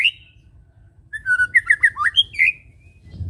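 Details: White-rumped shama song used as a lure to make birds sing: one high whistle, a pause, then a quick run of six or seven clear fluty notes ending in a rising slur.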